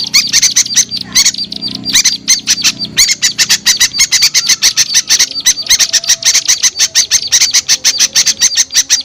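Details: Small birds' luring call: steady rapid high-pitched clicking chips in long runs, broken by a brief gap near three seconds, over a soft low droning background and occasional thin whistles.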